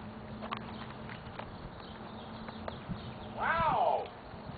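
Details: A captive-bred, hand-raised Hyacinth macaw, which squawks for attention from friendly passers-by, gives one loud, drawn-out squawk that rises then falls, after soft thumps and knocks over a steady low hum.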